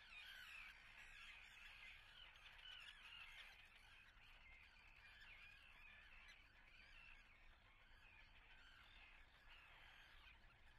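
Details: Nesting Common Terns at Atlit, Israel, on 10 June 2010, call in a dense, overlapping chorus of harsh, high, grating notes, several a second, with steady background noise throughout.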